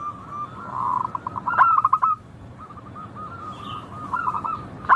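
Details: Perkutut lokal, the local zebra dove, with a clear, melodious song. A soft rolling trill leads into a loud stuttered coo of clipped notes. After a pause comes a long, even, quietly pulsed trill and the start of another phrase.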